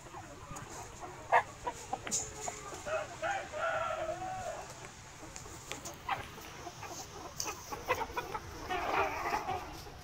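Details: Free-range mixed flock of Vietnamese game chickens, bantams and crossbred chickens in a wide garden yard by day, foraging for insects and greens; scattered soft clucks and a distant crow over a busy, noisy background with sharp clicks.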